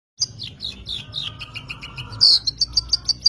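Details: Long-tailed shrike singing: a run of chirpy notes sliding downward, then a sharper burst and a string of short, bright, evenly spaced high tweets near the end.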